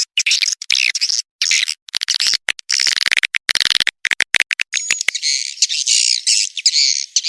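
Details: Mixed swiftlet lure call meant to attract swiftlets: fast dry clicking pulses interleaved with shrill twittering bursts, giving way to a continuous rolling high chatter toward the end.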